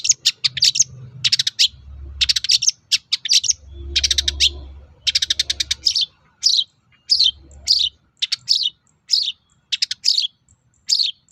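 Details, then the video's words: Long-tailed shrike song used to lure other shrikes into replying: fast chattering trills and buzzy bursts, then clipped separate chips, continuous for eleven seconds with a low hum underneath. "SUARA BURUNG PENTET GACOR AMPUH UNTUK PANCINGAN CENDET LAIN AGAR NYAUT"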